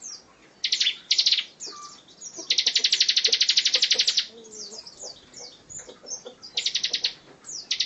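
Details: Bar-winged prinia song in the close-packed 'tembakan rapat' style used to tutor other songbirds: short bursts of repeated buzzy notes, a long fast trill of some twenty notes lasting nearly two seconds, then more bursts among high chips.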